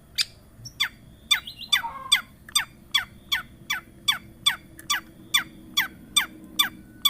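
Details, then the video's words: Long-tailed shrike lure sound used to coax a silent bird into song: a steady run of rasping, downward-sweeping chack notes about twice a second, briefly overlapped by a short whistled phrase. "Pancingan Cendet Macet,putar 1detik dijamin pasti ikut gacor"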